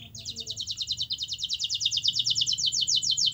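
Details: Canary song meant to prompt a silent canary to sing: one sustained, very fast, high pulsed trill of about twenty repeated units, with faint low background hum.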